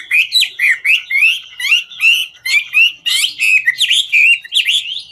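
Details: Chinese hwamei of the ngũ trường kind singing during its dance: powerful, varied phrases of whistled slurs mixed with harsher buzzy notes, rising and falling, packed densely together.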